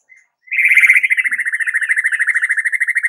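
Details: White-rumped shama delivering a sustained rapid trill, a fast even pulsing whistle held steadily for over two seconds.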